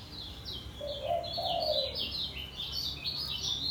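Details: Caged Lombok yellow white-eye sings continuously in ngejos style, a lively chain of high, sharp, falling chirps, with one low dove coo in the background.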